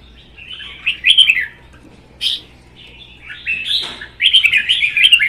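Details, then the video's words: Two caged red-whiskered bulbuls duelling in song, one a wild-caught adult of one season: warbled phrases with sharp clicks, then a long, lively chattering run of whistles. "CHÀO MÀO | Hót đấu kích ché"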